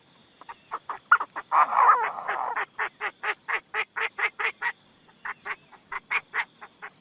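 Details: Decoy Chinese francolin: a long, regular train of short rasping notes, about three per second, with a brief louder rough burst early on and faint steady hum behind.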